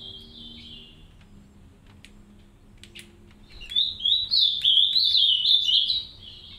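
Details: Captive green-winged saltators, a pair raising three chicks in an aviary: a soft whistled phrase, scattered faint clicks and a low hum, then a loud fluid warbling run of quick rising and falling whistles.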